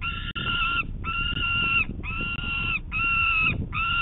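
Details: Morning begging of a peregrine falcon chick asking its parents for food, Manchester, New Hampshire, late June 2019; five long, even, nasal wails, each nearly a second, separated by short gaps over low rumble.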